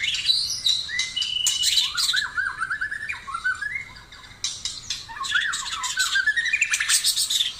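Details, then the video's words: Taiwan-type white-rumped shama singing: quick series of rising whistled notes climbing in pitch, mixed with harsh squawky bursts and high chips, over background hiss. "burung murei taiwan super mantapppp suara josss"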